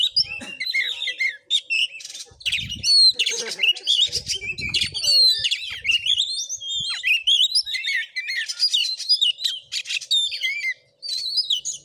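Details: Oriental magpie-robin in a fighting voice test, Bengkulu: twelve seconds of relentless varied song, chattering buzzes alternating with clear rising and falling whistles, with a few dull knocks beneath and a brief break near eleven seconds.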